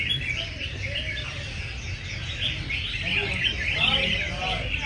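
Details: Many caged red-whiskered bulbuls sing against each other in a singing competition, with a crowd of enthusiasts present. Dense overlapping bright warbled and whistled phrases run continuously, with low crowd murmur and voices beneath.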